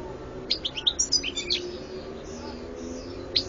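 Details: European goldfinch recorded in 2014, giving a short burst of high, tinkling chirps and buzzy notes in the first second and a half, then quiet with a steady low hum before one last sharp note.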